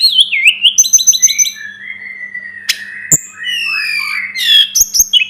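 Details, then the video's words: Sunda robin (tledekan gunung), tutor recording for training birds: a wavering whistle, then a quick stuttering series of high notes. A long, slightly falling whistled phrase follows, ending in rising warbles and sharp clicks, with a faint hum beneath. "Masteran burung tledekan gunung || burung sulingan gunung"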